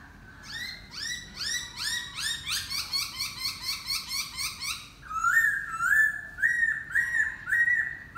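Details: Laughingthrush singing: a run of rapid, repeated upslurred whistles with rich overtones, followed by clearer looping whistled phrases, loud and close.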